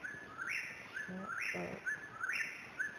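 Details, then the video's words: Whip-poor-will singing at 5:30 AM on May 21, 2012, in Pisgah National Forest, North Carolina: a rapid three-part whistled phrase with a sharply rising middle, repeated about once a second, with a few lower chirps beneath. "The Whippoorwill - Nature's Alarm Clock"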